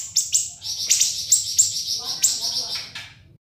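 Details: Siri-siri song as tutor material for cage birds: a shrill, high, wavering chatter of slurred notes running about three seconds before stopping abruptly.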